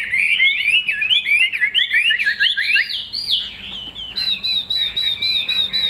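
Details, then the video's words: Chinese hwamei with a fig-leaf tail and glossy plumage, a kept bird for sale in Vietnam, delivers rapid, jumbled warbling notes, then switches to a steady string of high, evenly repeated whistled notes. "Họa mi đuôi lá vả bóng bộ đẹp hót hay"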